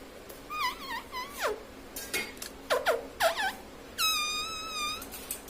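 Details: Pet parrot kept indoors, said to speak words like mummy, papa and mitthu; a run of short wavering whistled notes, then a long, steady, buzzy harmonic phrase near the end, over a faint room hum.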